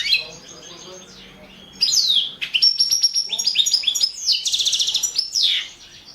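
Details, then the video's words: A Balkan goldfinch entered in a world song championship sings fast tinkling trills and buzzy, high twittering runs after a quiet opening. "World championship in Goldfinch Song 2017"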